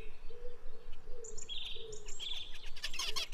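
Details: Zebra finches feeding on natural foods give nasal, mid-pitched beeps, with bright, higher chirps and clicks building toward the end.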